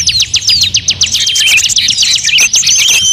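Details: Mixed-species bird lure sound: strong, evenly spaced downward chirps at the start give way to a jumble of rapid trills, squeaky notes and thin whistles.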